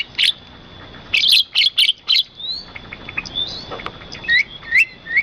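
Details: Birds singing near rice fields, a cluster of sharp high chirps early on, then softer rising whistled notes repeated about every half second, with a faint steady high tone throughout.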